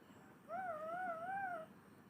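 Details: Talking pet parrot from Assam with a cute voice, giving one drawn-out tonal note lasting just over a second, smooth and gently wavering in pitch, against a faint low background hum.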